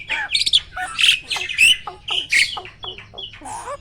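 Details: Prize-winning caged starling, a competition bird, delivering loud varied song: rapid harsh chattering notes mixed with sharp whistled slurs and squawky bursts, phrases changing every fraction of a second.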